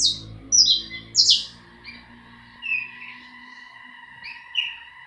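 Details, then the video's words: Three loud, bright downward-sweeping chirps open this saffron finch song, followed by softer scattered whistled notes, over a low rumbling hum that fades after the first couple of seconds and a thin steady tone. "Canario da terra Efetivo!"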